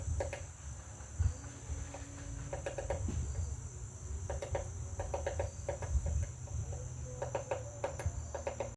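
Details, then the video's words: A woodpecker hammers at a butterfly house in repeated groups of two to four sharp knocks, spaced irregularly across the recording, with a few faint thin tones and a continuous high hiss behind. "Woodpecker pecking butterflies house"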